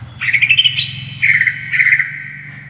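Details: Greater green leafbird in energetic gacor song with full isian phrases, recorded as masteran tutor audio for young birds: bright whistled warbles rising then holding steady, in three bursts, over a low steady hum.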